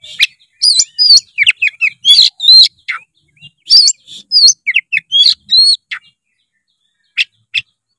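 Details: White-rumped shama in full song, used to get a lazy young bird to start singing; sequence of bright looping whistles, quick sweeps and chatters, ending with two isolated sharp notes.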